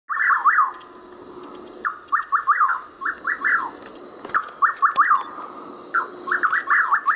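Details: Rufous nightjar (Antrostomus rufus) repeating a short, rich, whistled four-note phrase about every one and a half seconds, with faint high chirps from other birds or insects behind.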